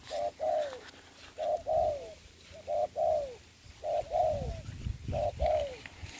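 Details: Spotted dove used as a ground decoy in trapping during the covid season, giving repeated two-part coos, a short note and then a longer one that slides down, about every 1.2 seconds, over low rumbling background noise.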